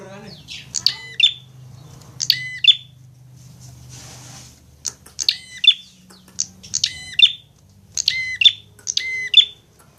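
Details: Combative prinia chatter meant for masteran tutoring: hard, rasping two-part notes come in quick pairs, repeated at regular intervals, with a brief hiss between bursts and a low hum beneath.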